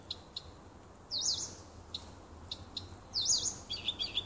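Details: Nightingale singing in a small wood near a home on 30 June 2015: short bursts of looping, whistled high trills and warbles, separated by brief sharp chips and pauses, over a low steady background hum.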